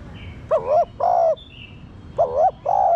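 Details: Spotted dove cooing, used to stimulate captive doves to coo: two paired, wavering mid-pitched coo phrases, each a short bent note followed by a longer steady one, with faint high chirps from other birds in the background.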